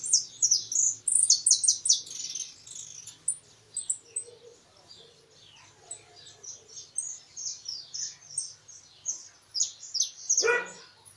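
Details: A European goldfinch kept for the countryside sings a song with a closing phrase: quick, high, tinkling twitters, loud at first and then running on softer, with a sharp click near the end.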